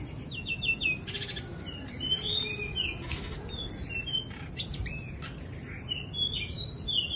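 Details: Bush lark displaying with fluttering wings, mixing short chirps and varied sliding whistles with several dry broadband flutter bursts, ending in high, sweet rising notes.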